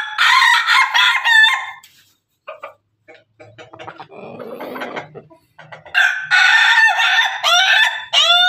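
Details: Roosters of the Pelung and Ketawa breeds heard together: a loud, ringing harmonic crow, a quiet interval with low mutters and clucks, then a second long, strong crow with rising, bending tones at the close.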